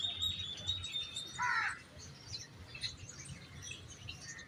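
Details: Common myna of the subcontinent: one short harsh, layered call bending upward, with a thin steady high whistle from another bird before it and scattered faint chirps behind.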